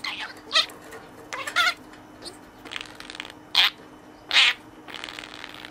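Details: Caged budgerigar playing with a toy friend, producing a string of scratchy, squeaky notes and short nasal squawks at irregular intervals, some louder than others, in a small room.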